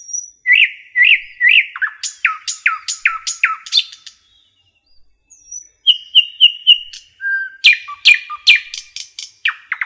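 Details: Common nightingale singing in a forest: a run of five rising, slurred notes, then a short pause before crisp clicking strokes and bright repeated whistles, all loud and clear with no other sounds.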